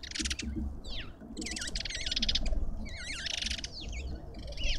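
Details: Lovebirds at a Pretoria garden feeder, South Africa, keep up loud buzzy rasping bursts mixed with twisting whistled squeaks, nearly continuous, over a steady low rumble.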